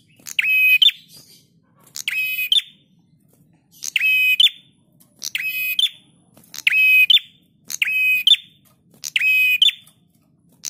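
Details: Prinia master song for cage-bird training: seven near-identical phrases in steady succession, each a harsh buzzy trill on top of a flat whistled tone closing in a quick rising flick, about one phrase per one and a half seconds.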